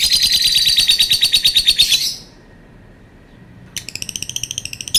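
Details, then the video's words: Lovebird giving a long call: a fast, loud series of shrill, buzzy chattering notes repeated about three times per second for two seconds, a short silence, then the rapid shrill series resumes. "Burung Lovebird bunyi suara panjang"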